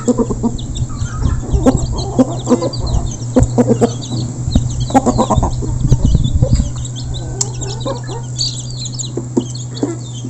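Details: Group of local chickens at feeding time, recorded close: scattered clucks and short squawks over a loud steady low hum, with faint high chirps from small birds throughout.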